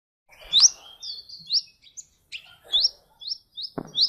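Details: Sunbird kept as a competition bird, billed as a 2014 international champion, singing a series of thin, very high upslurred notes in short runs, broken by brief pauses and a few low knocks.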